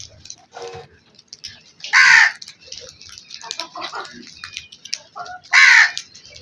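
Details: Black crow giving two loud, harsh caws about three and a half seconds apart, with softer calls and background bird chatter in between.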